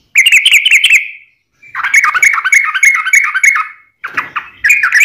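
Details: Rolling, continuous Yellow-vented bulbul song used as a training model and wild-bird lure: fast chattering bursts of bright warbled notes, broken by two short gaps.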